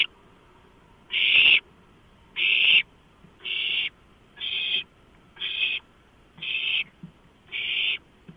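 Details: Seven rough, hissing screeches from owlets as a large rodent is brought in at 12:52, 23 March 2015. They repeat roughly every one to one and a half seconds, and the first two are loudest.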